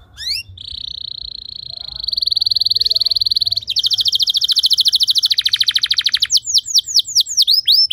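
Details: Canary song meant to teach other canaries long singing: a sustained even high trill for several seconds, switching to a faster pulsed trill, then repeated descending swept notes.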